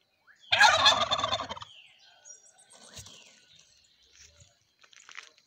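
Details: Criollo domestic turkeys (guajolotes) dancing in display in the Mixe region. One loud, rapid, rattling gobble lasts about a second, followed by faint chirps and soft knocks.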